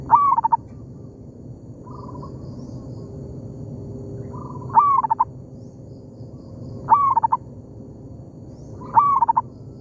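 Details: Wild local zebra dove in an oil palm plantation, answering a decoy bird: four stuttering coo phrases, each starting with a rising slur and ending in quick repeated notes, with a faint softer reply between the first two.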